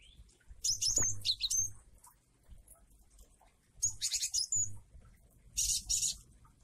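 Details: Varied Java sparrow song recorded with rain: three separate bursts of rapid, high chirping and twittering notes, parted by quieter gaps with a faint rustling background.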